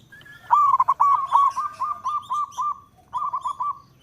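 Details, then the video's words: Local zebra dove (perkutut lokal) calling in all directions: a trilled start runs into a quick series of about ten soft, bouncing coos, then a short pause and a final burst of five rolling notes. "Perkutut Lokal gacor suara merdu memanggil Keseluruh Arah"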